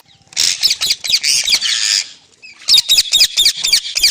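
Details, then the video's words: Green parrot giving harsh, raspy squawks: a dense grating burst at first, then a quick series of about eight sharp screeches after a brief pause. "Green Parrot Talking Natural Sounds | Mitthu Ki Awaaz | Tote Ki Awaaz"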